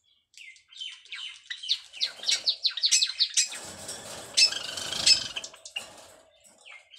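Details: White Java sparrow mating call while the pair builds a nest: a fast run of sharp, bell-like chirps with falling slurs, speeding into a dense chattering burst, then a few softer closing notes.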